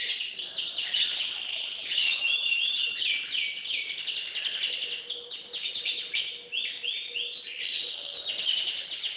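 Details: Canary song of continuous high rolling trills and quick repeated swooping notes, run together in a dense, unbroken stream.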